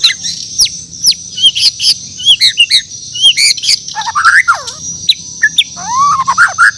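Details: Borneo white-rumped shama singing in the morning, scattered clicks and high downslurred notes giving way to rich, looping whistled phrases that swoop down and up again.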